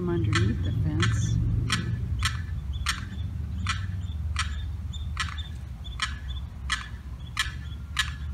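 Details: Young Limpkin lost on the wrong side of a fence from its mother and sibling, 4th of July, repeating distress calls: about twelve short, harsh notes in a steady series over faint low rumble.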